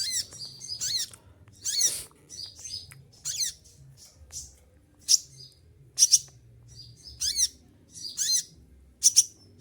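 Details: Moulting olive-backed sunbird that keeps singing while shedding its feathers gives about nine high, shrill, stabbing bursts in ten seconds, some with bright ringing tops, spaced irregularly with short thin notes between.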